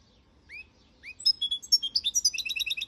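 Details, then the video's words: A goldfinch sings: two soft rising call notes, then a quick tumbling twitter of high, clear chirps speeding into a bright repeated trill. "Goldfinch song"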